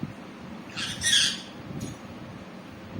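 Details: Green pet parrot giving one harsh, broadband squawk lasting under a second, with a fainter short burst after it against quiet room noise.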